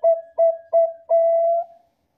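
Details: Song of a Bangkok zebra dove used as a decoy for other doves: three quick soft coos followed by a drawn-out, even, flute-like note fading away.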